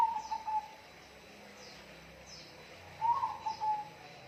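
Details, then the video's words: Bird calling over steady background hiss: a short whistled phrase of quick, slightly wavering notes at the start, then a second similar phrase about three seconds later. "bunyi burung"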